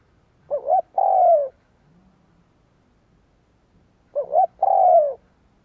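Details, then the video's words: Decoy spotted dove cooing to attract wild doves: two strong phrases of a short double coo and a longer descending coo, about three and a half seconds apart, with a faint low murmur between them. "Tiếng cu gáy kích bổi cực nhạy / CU gáy thúc gù gáy đủ bài kích bổi cực nhạy"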